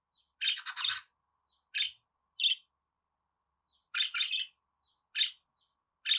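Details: Budgerigar song of scratchy chirp clusters: a fast rattling burst, then single sharp notes and another chattering run, with faint tiny ticks between.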